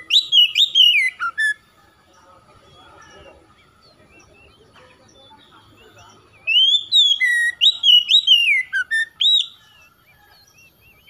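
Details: Oriental magpie-robin song meant to spur reluctant birds into singing: two bursts of clear, rich whistled phrases with warbling slurs and high squeaky notes, separated by several seconds of near quiet.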